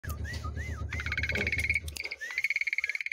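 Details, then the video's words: Javan pied starling giving looping whistled slurs that rise and fall, then fast, buzzy rattling trills, over a low steady hum; used as tutor material for other songbirds. "JALAK SUREN ISIAN SUARA UNIK UNTUK MASTERAN SEMUA BURUNG"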